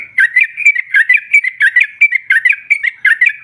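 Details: Female sooty-headed bulbul, played to stir rival birds: steady, repeated two-part whistled notes with a dipping, slurred quality, about three or four phrases per second over a constant faint hum.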